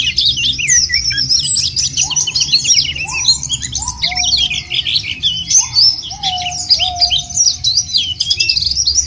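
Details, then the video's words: White-eye song played as a lure to make birds sing: dense, rapid high twittering with fast up-and-down warbled notes, plus lower drawn-out whistles rising then sliding flat, repeated every second or so. "jangankan pleci burung lain aja pada gacor"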